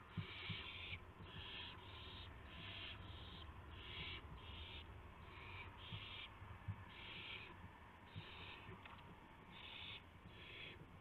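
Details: Owls at dawn on March 26, 2016, with prey of gopher and mouse; a long sequence of short, rough hissing screeches, sometimes paired, repeated roughly every second over a faint background hum.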